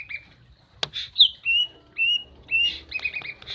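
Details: Female common iora calling to stimulate a male that has gone quiet: drawn-out, clear whistled notes spaced roughly half a second apart, then a rapid burst of short chirps, with one sharp click.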